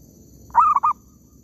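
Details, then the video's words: Zebra dove in an oil palm plantation, recorded during decoy trapping; a short, loud cooing phrase of three linked notes with a rolling, slightly trilled quality, lasting under half a second against quiet background hiss. "mikat perkutut kebun sawit,suara ampuuhh"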